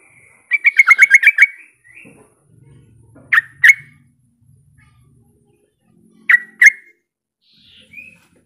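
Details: Sooty-headed bulbul calling a rival to draw other bulbuls into calling. It opens with a fast chattering run of notes, then gives two paired sharp chirps a few seconds apart, with a faint low rumble in between.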